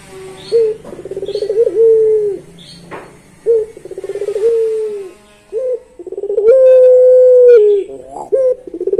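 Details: Puter pelung dove, a Barbary dove type, singing the long-voiced song: short rolling bursts of low cooing, then a long sustained hoot that rises slightly and then fades.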